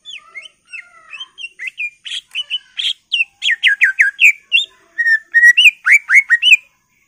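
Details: Greater green leafbird full-filler song to get other birds singing: a steady stream of varied whistled notes, buzzy chirps and downward slurs, about three notes per second, growing louder and denser.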